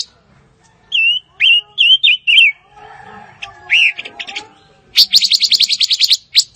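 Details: Fire-tailed myzornis song: a few loud, clear whistled notes, each curling and dipping, then a quieter pause and a fast, buzzy run of rapid repeated high notes near the end.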